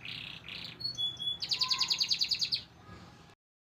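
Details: A white crested canary sings two buzzy rolls and short whistles, then a rapid pulsing trill of about a dozen bright notes that fades before sudden silence.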